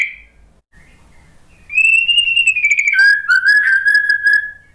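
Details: White-rumped shama song offered as a lure to a post-moult shama that will not sing: near silence, then one long whistle that falls slowly and runs into a steadier, lower whistled note.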